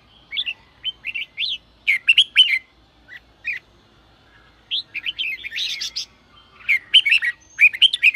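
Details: Red-whiskered bulbul in sổ bọng song, played to encourage freshly caught birds; bouncy whistled phrases with quick slurs alternate with short scratchy bursts, arriving in three main groups separated by brief gaps.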